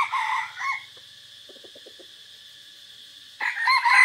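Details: Red junglefowl kept as a decoy, recorded in forest on 3 April 2024: a crow ending at the start, a pause with soft clucking notes, then a fresh harsh crow breaking in, with a constant shrill insect hum behind.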